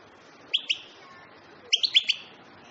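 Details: European goldfinch: a pair of quick, bright chirps, a pause, then a tighter run of four sweeping, upward-flicked notes. The background is quiet apart from a faint hiss.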